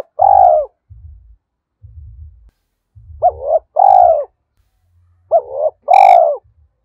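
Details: Decoy spotted dove with a thổ-style voice, cooing to stimulate wild birds. Three phrases each pair a quick hooked double note with a long, sustained, slightly falling coo, spaced about two to three seconds apart. Low knocking thuds sound between them.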